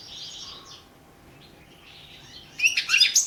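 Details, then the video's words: European goldfinch singing in a world championship song competition entry, 2017: faint high twittering at first, then a loud burst of fast, buzzy, jumbled chirps and trills near the end. "World championship in Goldfinch Song 2017"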